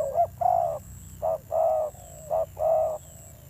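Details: Spotted dove, a newly caught wild bird, giving fierce-toned cooing: deep hollow coos in short-then-long pairs, a brief note followed by a longer drawn-out one, three pairs in quick succession, with a faint steady high whine behind.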